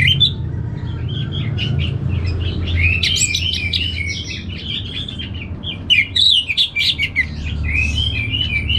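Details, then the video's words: Orange-headed thrush kept in a cage in North Bali, Indonesia, delivering a long, continuous rambling warble of sweet whistles, twitters and sharp chips, louder and more clipped near the end, with constant low background hum. "ANIS MERAH Langsung Gacor Nyaut Joss"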